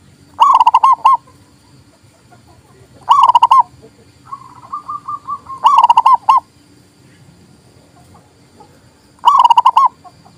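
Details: Local zebra dove singing, used for luring and to stir reluctant doves: four loud staccato cooing phrases of quick, bouncing notes, plus a softer, more distant dove trilling in between them.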